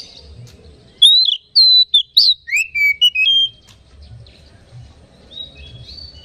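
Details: Oriental magpie-robin song used as a lure to excite other magpie-robins: a burst of loud whistled notes, sweeping and slurred between about mid and high pitch, with short gaps, followed by quieter faint high notes.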